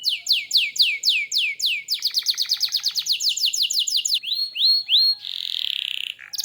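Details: Canary in full, lively song (gacor): a series of descending whistled sweeps, then a rapid ticking trill, a run of rising upslurred notes, and a brief buzzy sustained tone near the end.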